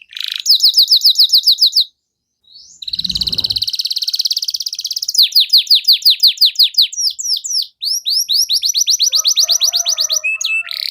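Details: Canary in full song, a cuit-cuit style used as a lure to get silent canaries singing: rapid high repeated chips, fast buzzy trills and sweeping notes, with a brief gap and a low thump near two seconds.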